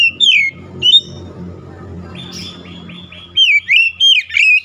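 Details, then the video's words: Oriental magpie-robin song with loud, high whistled and slurred phrases at the start and again near the end, separated by a quieter stretch with a low hum underneath. "KICAUAN MENAIKAN EMOSI KACER"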